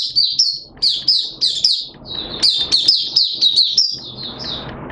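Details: Malaysian oriental white-eye hobby bird singing: dense, high twittering of fast, sharp sweeping notes in close bursts, ending softer amid low background noise.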